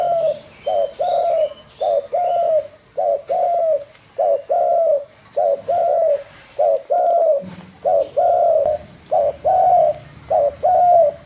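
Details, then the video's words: Spotted dove giving a steady run of soft low coos, each short note followed by a drawn-out mellow one, repeated rhythmically, with a faint higher chirp from another bird at the start. "Tiếng chim Cu gáy"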